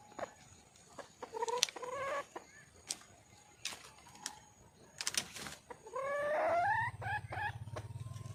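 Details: Wild red junglefowl female calling for a mate, with short rising notes among sharp clicks, then a longer swelling upward call and more brief notes, and a low hum at the end.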